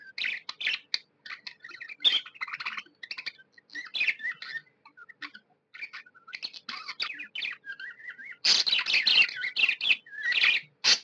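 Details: Tame budgerigars, said to be happy, give scattered soft chirps and short warbled phrases, then break into a louder, busier run of scratchy chatter near the end.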